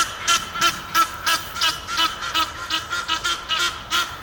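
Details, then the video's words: Courting pair of Egyptian geese up a tree near Henley upon Thames calling together; loud, hoarse, rasping honks in a rapid regular series, about three per second, over a steady low hum. "Love Birds - AKA Egyptian Geese"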